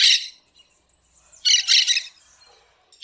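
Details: A parakeet singing in the wild gives harsh, scratchy chattering bursts: one at the start, a longer double burst midway, and a brief note at the end, all high-pitched.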